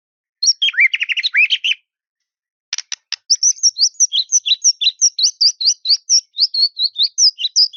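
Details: White-rumped shama singing to provoke a rival: a short chirping phrase, a few sharp clicks, then a long, even run of high, sweet, repeated chirps.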